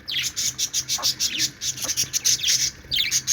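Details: Several happy budgies playing, giving dense bursts of high, scratchy chirps and warbles in rapid succession, with brief gaps between bursts and a faint low hum behind.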